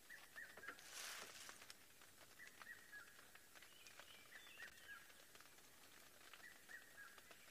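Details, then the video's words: A distant Red-chested Cuckoo repeats its short falling three-note whistle about every two seconds, faint beneath many other small birds and a brief rustle, in South African bush at sunset in December after rain with thunder around. "The red-chested cuckoo calling in the distance."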